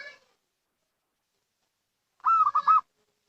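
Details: Lure call of a local zebra dove: after a long silence, a single loud rolling, trilled cooing phrase lasting about half a second.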